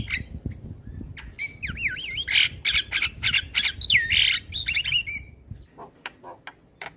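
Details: Black-winged starling singing in the morning, recorded as training material for other birds: loud harsh squawks and broad noisy bursts mixed with looping whistled notes, rapid and irregular, with low background rumble.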